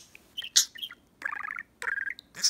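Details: Male pet budgie mimicking both a man's and a woman's voice, talking to shiny fingernails. Short chirps lead into two bursts of rapid, buzzy warbled chatter in the mid range, ending with a bright squeak. Human speech sits around it.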